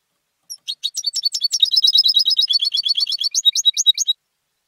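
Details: European goldfinch, a male raised and trained at home, a competition singer, delivering a rapid, high twittering song of tinkling, buzzy notes, about three per second, for three and a half seconds, on an otherwise silent background.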